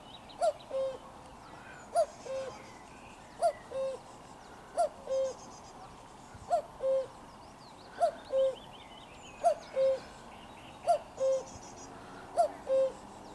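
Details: Steady series of about nine 'cu-koo' calls from a common cuckoo at close range, 4 June 2023: each a brief higher note falling to a longer lower one, evenly spaced near 1.5 seconds, over faint background birdsong.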